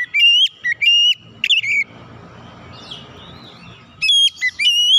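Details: Oriental magpie-robin singing as a lure to prompt other birds: strong, clear whistled notes in quick groups at the start and end, separated by a quieter stretch with faint rustly chatter.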